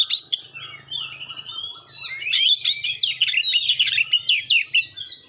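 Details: Magpie-robin song with sharp rapid-fire notes and clear phrases, used to prompt other magpie-robins to answer: a dense, fast stream of high chattering and whistled notes, building after two seconds, with a faint low hum underneath.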